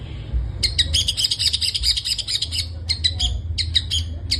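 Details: Singing long-tailed shrike, 'gacor full isian' style with filled-in phrases: a long run of rapid high chattering, then a string of sharp, separated clipped notes in small clusters; faint low background hum.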